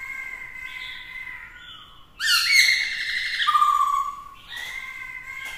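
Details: Black-throated laughingthrush, with a female urging the male, sings to provoke rivals: a steady whistled tone gives way to a loud harsh rising burst and a clear descending whistle, then the steady tone returns.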